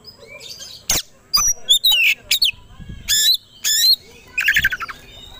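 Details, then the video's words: Oriental magpie-robin (kacer) provocation song for quick aggression: varied sharp whistles, slurred rising and falling notes and harsh buzzy bursts delivered in uneven succession. "Pancingan Kacer Agar Cepat Emosi Gacor 3 || Super Gacor Langsung Tarung"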